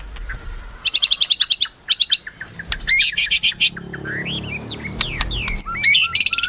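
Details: Shama in melodious song: rapid bursts of high, staccato notes repeated in quick runs, then sweeping whistles and twisting slurs, ending in another fast chattering series.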